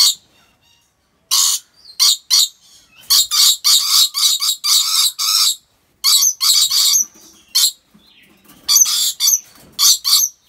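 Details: Rainbow lorikeet at an animal park in Aceh, Indonesia, giving loud, harsh screeches in irregular bursts, some singly and some in quick runs, separated by silent gaps.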